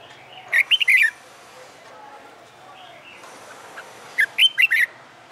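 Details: Wild-caught red-whiskered bulbul newly kept in a cage, in training for fighting song, gives two quick whistled phrases of slurred up-and-down notes about three and a half seconds apart, with faint softer chirps between them.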